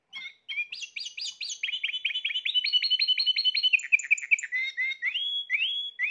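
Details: Spanish Timbrado canary, one of the year's 2020 birds, starts with bright chirps, settles into a steady rolling trill, then finishes with a series of rising slurred whistles repeated about once a second.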